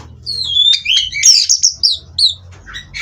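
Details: Caged Oriental magpie-robin (kacer) from a breeding farm, sound used as perch-settling therapy: a short burst of sliding whistles and scratchy, buzzy notes over a low background hum.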